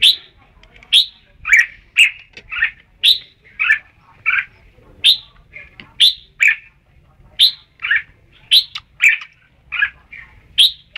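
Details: Red-whiskered bulbul in sustained song, about twenty short notes in a lively, uneven stream, mixing bright, sharp, rising chirps with huskier, scratchy warbled notes, barely pausing; little background noise.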